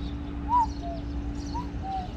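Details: A cuckoo, heard in the morning and called a morning bird, gives two soft falling 'cu-coo' pairs, the second note lower, about a second apart, over a steady low hum.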